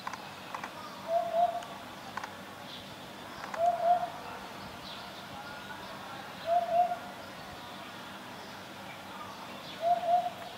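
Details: Eurasian hoopoe calling a female to come and eat food. Low, soft hooting notes in groups of three, each group repeated roughly every three seconds over a quiet background.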